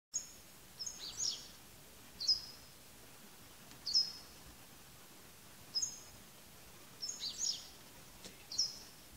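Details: A parent Japanese wagtail (Motacilla grandis) raising young gives sharp, high, buzzy call notes, single or in quick clusters of two or three, roughly every one to two seconds over a faint steady hiss.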